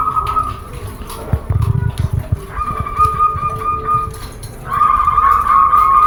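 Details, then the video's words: Zebra dove song used to encourage other doves to sing: bursts of fast buzzy trilling on one pitch, separated by a brief gap with low thumping noise, ending in a louder, richer trill. "PEMBANGKIT MALAS BUNYI UNTUK SEMUA JENIS PERKUTUT"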